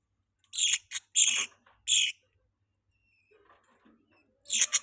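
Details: Several sharp, high budgie chirps close together, a pause with faint soft chatter, then another loud burst of chirps.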